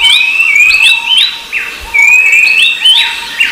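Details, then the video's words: Short stretch of rufous-browed babbler calls: two long thin rising whistles with flicked ends, overlapping curved chirps from other birds and a faint steady hum. "Suara Burung Berisik || Pelanduk Semak & Pelanduk Topi Hitam"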